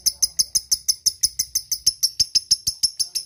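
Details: Lovebird giving its ngetik and ngekek call to companions: an evenly spaced run of crisp, high, ringing ticks, about three per second, sustained throughout.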